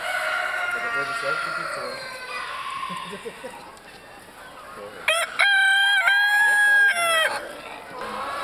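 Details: Buff Orpington bantam rooster crowing at a small-animal show in Etziken, Switzerland, January 2012: after several seconds of hall murmur and scattered clucking, one loud, harmonic crow rises, holds level for about two seconds, then drops away.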